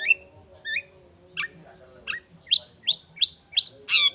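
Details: Long-tailed shrike singing vigorously: a series of short, sharp upward-swept chirps roughly every half second, growing louder and harsher toward the end, with a faint low hum underneath.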